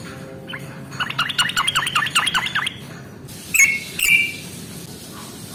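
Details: Yellow-vented bulbul, ngalas tarung song used as a lure for birds slow to sing: a rapid bubbly run of chattering notes, then a pause and two loud, drawn-out whistled notes.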